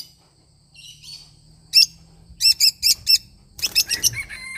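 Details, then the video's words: Lovebird parrot song of soft twittering followed by a quick run of five loud shrill chirps, then a busier cluster of chattering notes over a low background hum. "love bird singing sound"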